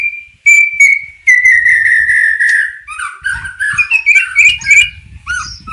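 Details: White-rumped shama in unique isian song: long level whistles slowly falling in pitch, then a quick varied string of chirps, slurs and thin high notes, over faint background noise.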